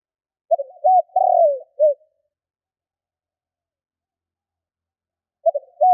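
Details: Spotted dove kích bổi call for luring wild doves: a full low cooing phrase with a long falling middle note, about three seconds of silence, then the stuttering opening notes of the next phrase.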